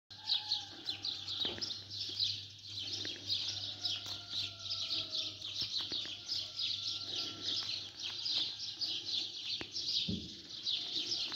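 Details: Sparrows in the morning, a dense chorus of high, rapid chirps and tweets running continuously, with a few faint lower tones and a steady low hum beneath.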